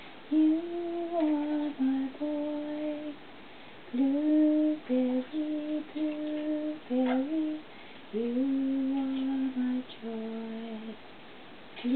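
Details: A person hums a slow, gentle tune in short steady notes indoors, with no animal voice standing out.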